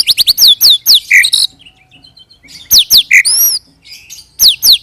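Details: White-rumped shama (murai batu) singing in the 'roll tembak' style, used as a lure to draw rolling replies from other shamas: clear rising whistled sweeps in quick bursts, a buzzy note, then pauses and renewed phrases.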